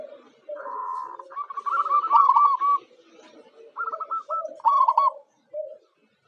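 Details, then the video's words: A local zebra dove (perkutut, Geopelia striata), used as a lure bird that draws others to respond, sings bursts of soft, rapid staccato coos, trilled and bubbling, in short phrases broken by brief pauses. "Suara Perkutut Lokal"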